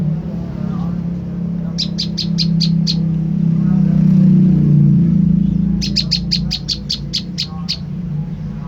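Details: Olive-backed tailorbird lure call to provoke a reply. Two bursts of quick, high chipping notes, a short one and then a longer run, over a loud, steady low hum.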